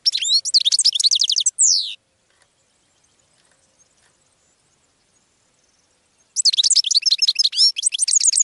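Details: Goldfinch song used to attract other birds: a rapid twittering trill of high metallic notes ending in a long descending slurred whistle, a silent pause of about four seconds, then another fast tinkling burst.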